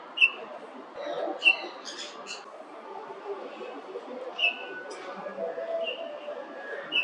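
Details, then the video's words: Golden-breasted Starling (Lamprotornis regius) giving short, bright whistled notes every second or two, mixed with brief scratchy chatter, over a steady low background hum. "鳥の鳴き声【キンムネオナガテリムク】Golden-breasted Starling"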